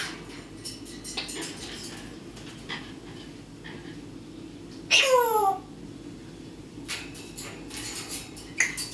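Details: Pet parrot indoors producing a firework imitation: one loud swooping whistle dropping steeply in pitch, surrounded by quiet clicks and taps over a constant low household hum.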